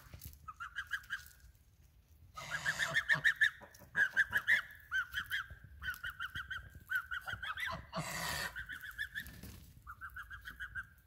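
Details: Geese honking in nasal, repeated bursts of quick calls, several birds overlapping, with short rushes of broadband noise between the calls.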